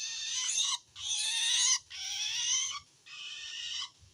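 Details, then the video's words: Long-tailed shrike calling to wild shrikes as a sign of feeling threatened by another shrike: four long grating screeches, each around a second, delivered nearly back to back. "suara aneh burung cendet"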